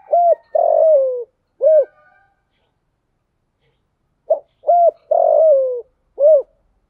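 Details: Decoy spotted dove calling to draw in wild doves: two coo phrases separated by a three-second pause, each a quick hoot, rounded coo, long falling coo and short final note.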